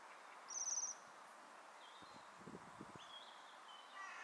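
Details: One loud, high, buzzy trill comes from a waxwing feeding on berries in a tree in December 2023. It is followed by quieter, lower, slurred notes and soft rustling clicks.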